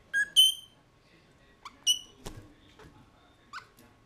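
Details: Mulga parrots kept in a cage, recorded at 09:28 on 18 November 2014 with a GoPro Hero 3+ placed inside the cage; clear whistled notes with rich overtones, a short note then a longer loud whistle, later brief whistles and a dull knock.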